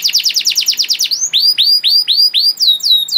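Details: Canary song meant as a master recording for training young canaries and getting them to sing: rapid trills of falling notes, then slower upswept whistled notes repeated about every quarter second, all high-pitched.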